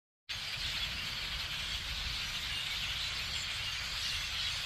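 A large flock of blackbirds makes a dense, unbroken wall of high chattering and squeaky calls, blended into a steady hiss, with a faint low rumble underneath.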